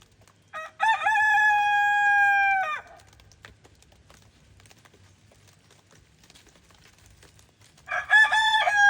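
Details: Araucana rooster crowing on a farm in the snow: a long, loud, steady crow with rich harmonics and a slight opening dip, lasting nearly two seconds. A second crow begins near the end after several seconds of quiet.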